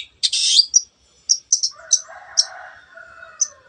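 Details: Long-tailed shrike in teot teot song, played to stir other birds to sing: a rasping burst, then evenly spaced short, sharp high chips over a faint, lower warbling murmur.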